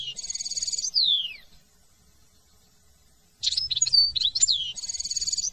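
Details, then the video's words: European goldfinch song from France: a buzzy trill dropping into a long falling slur, a pause, then jangling twittered notes and another buzzy trill. "chant de chardon"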